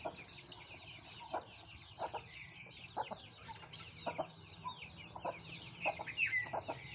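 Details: Group of Aseel chicks peeping rapidly, overlapping high downward-slurred cheeps at roughly three per second, mixed with scattered short lower clucks and light tapping sounds.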